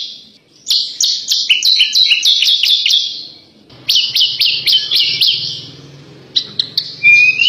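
Horsfield's bush lark sings a fast, jumbled run of high chirps, trills and sharp notes in bursts a couple of seconds long, with a faint low hum behind.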